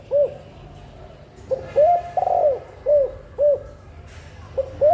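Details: Female spotted dove calling to encourage breeding and laying: repeated low, hollow coo phrases mixing brief notes and a longer rolling, falling coo, over a faint low hum.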